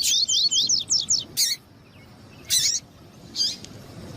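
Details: Double-collared seedeater, male song with female calling to excite males: a rapid string of about seven high, sweeping whistled notes, then separate sharp bursts spaced about a second apart.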